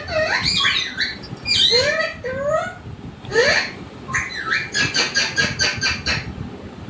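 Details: Pet parrot vocalizing: a run of bright, harmonic, swooping and bending phrases, some dipping low then rising, followed by a quick series of about eight short clipped notes repeated several times a second.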